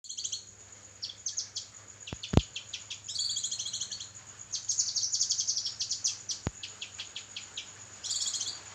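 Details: Kinoi song from a songbird training recording of an actively singing bird: bursts of high, thin chirps and trills in short phrases, with a steady high whine, low hum and a few sharp clicks behind.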